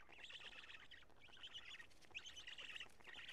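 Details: Karula black storks, 2 June 2017 just after 20:00, during nest change and feeding; continuous scratchy, squawking bursts with wavering tones run through the whole recording.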